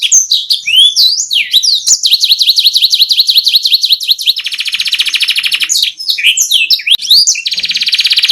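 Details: Canary rolling song as tutoring material: quick whistled slurs, a run of repeated rising notes, then a long rapid buzzy roll, more sweeps, and a final fast trill.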